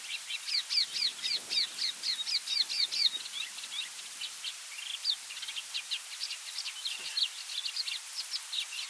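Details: Yellow-bellied eremomela singing while mimicking many other species, including African quailfinch, red-eyed bulbul, crowned lapwing and Cape sparrow; fast series of high, sharp repeated chips and short trills, changing pattern partway, over a hissing background.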